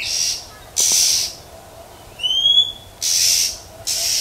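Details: Female Oriental magpie-robin in the wild calling to excite males, a 'huýt chẹp' sequence: broad scratchy rasps, a pair of sharp rising whistles in the middle, then more rasping bursts, background otherwise calm.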